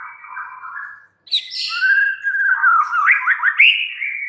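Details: White-rumped shama kept in a cage: soft low warble, brief silence, then a harsh note and a flowing whistled run with rapid trilled upsweeps.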